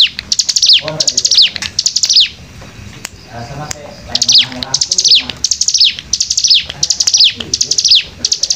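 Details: Bar-winged prinia in rapid 'nembak rapat' song: quick series of high, down-slurred whistled notes, around ten in all, grouped in runs with short pauses and quiet low chattering in the gaps.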